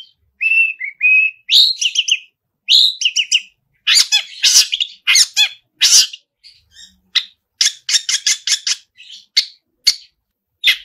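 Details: Long-tailed shrike singing a long varied sequence: clear whistled notes, dense harsh bursts and rapid trills of sharp chips, with brief silent gaps.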